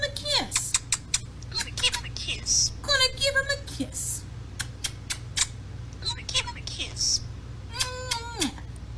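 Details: A four-year-old pet European starling mimics human speech, repeating a soft, slightly tinny spoken phrase several times, like a playback toy. Sharp clicks and quick whistled sweeps mix between the words.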